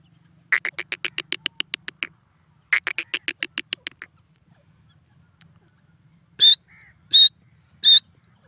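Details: Two fast series of rhythmic, pulsed clicking notes come from a francolin, each lasting about a second and a half. After a pause come three loud, high, clipped notes roughly two-thirds of a second apart. The surroundings are quiet.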